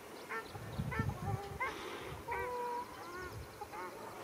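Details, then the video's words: Amid a ruddy shelduck fight in Arucas, Gran Canaria, 13 February 2021, a handful of loud nasal honks ring out, some long and level, mixed with low thumping sounds. "Pelea de Tarros canelos"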